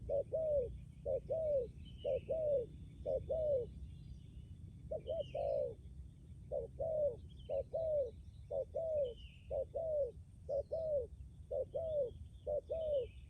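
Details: ['Spotted dove decoy from Lâm Đồng, Vietnam, a hard cooer with an enduring trailing coo. Repeated soft double coos come about once a second in bursts, with a short pause, while small birds chirp faintly in the distance.']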